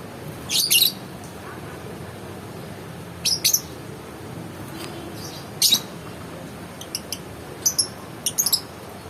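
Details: Sparse, fairly soft lovebird chirps: short high squeaky bursts every couple of seconds, ending in a few quick thin ticks, over a steady faint hum.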